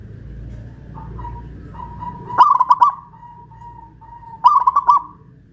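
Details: Local Pajajaran-strain zebra dove singing steadily, hoisted high on a pole in Kuningan, West Java. Two rolling cooing phrases, each a sharp opening note then four quick throbbing coos, over a faint hum.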